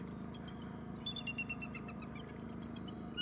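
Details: Bald eagles calling at the nest, with a male calling: thin, high chittering notes in short quick series, rising and falling, over a steady low hum.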